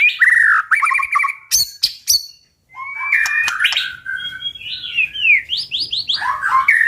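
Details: Powerful 'tạch' song of a white-rumped shama, sung to provoke birds to fight: buzzy whistled notes, then several sharp cracking clicks, a short silence, and a varied run of rising and falling whistles and rapid trills.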